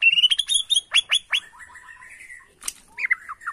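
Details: Borneo white-rumped shama responding to a lure, agitated: a quick high whistled run, several steep downward-sweeping notes, a thin drawn-out whistle, then short slurred whistles.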